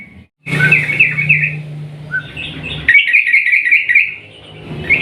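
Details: Sooty-headed bulbul with long, continuous 'ropel panjang' singing, played to prompt rival bulbuls to sing. Rapid gurgling notes, a short single whistle, then a longer bubbly run of wavering tones over a low hum.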